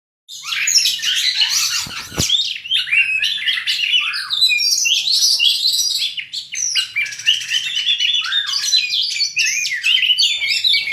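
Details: Two Oriental magpie-robins fighting, both pouring out their full learned song repertoire: dense, rapid, varied whistles, trills and chattering notes, high-pitched and continuous for eleven seconds, with one brief knock near the second mark.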